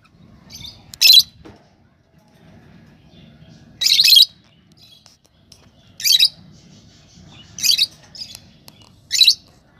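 Lovebirds give five shrill, harsh chirping bursts, one every two seconds or so, over a low murmur of room noise.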